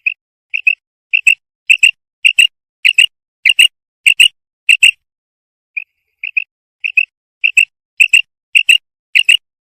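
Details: Female common quail call, local name batair: crisp two-part notes repeated about twice a second, fading briefly to a soft pair, then building back to loud clipped doublets.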